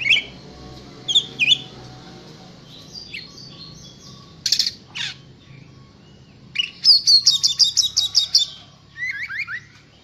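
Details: Kacer, an oriental magpie-robin in contest-ready persistent song: sparse whistled and buzzy notes, then a rapid rhythmic rattling trill of about ten pulses, then quick descending twitters, with faint low hum.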